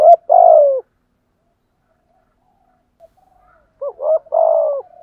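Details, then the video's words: Spotted dove kept as a decoy bird, cooing: a long, low, burry coo, a pause of about three seconds, then two short rising notes leading into another long, gently falling coo. "thúc gù chim cu gáy mồi bài bản"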